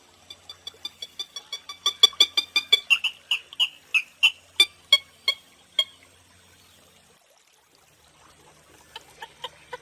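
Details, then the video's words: Purple gallinule uttering a fast train of dry, ticking nasal clucks that build in loudness, then shift into slower, higher yelping notes before stopping, followed by a few soft clicks after a pause. "Som limpo do canto🎵 do Frango d’água azul"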